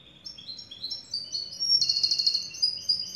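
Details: Black siskin, finch of the Andes, delivering a quick string of rising chirped notes, about three per second, that builds into a long, loud, high buzzing trill.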